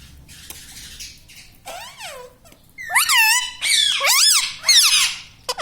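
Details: Talking pet parrot in a room, known for saying mummy, papa and radhe radhe; after a soft start, loud bending whistled syllables rise and fall in three or four quick speech-like phrases.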